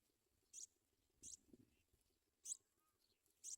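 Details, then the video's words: Sprague's pipit at the nest, bringing food to its young: short, very high, sharp notes at irregular intervals, four in under four seconds, with a faint low rumble and a soft thin whistle between them. "Sprague's pipit Bird brings baby food"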